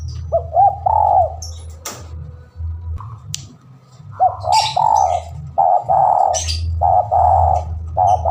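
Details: Spotted dove calling against a rival, recorded as a lure: repeated mellow coos in runs, with several phrases through the clip, steady low hum beneath and scattered faint high chirps from other birds.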